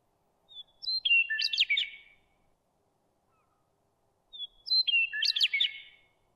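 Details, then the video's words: Western meadowlark singing in Calgary: two phrases about four seconds apart, each opening with clear, flute-like whistles that drop in pitch and then tumble into a bubbling, gurgling warble. "Western Meadowlark song"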